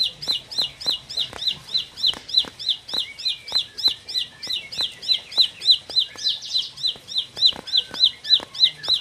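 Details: Four-month-old bar-winged prinia sings a fast, steady series of high, sharp clicking chips, about three or four each second, with no other sounds.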